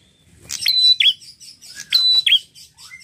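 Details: Red-headed prinia singing energetically: two phrases, each a quick high tick, a flat sustained whistle, then a descending buzzy trill, with a busy scatter of faint high chirps behind.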